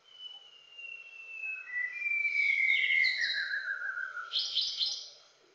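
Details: A young adult male White-browed shama, a shy Luzon endemic, filmed in Montalban, Rizal in August 2021, sings a long, clear whistle sliding gently downward, then quick slurred notes and a burst of high, scratchy trills.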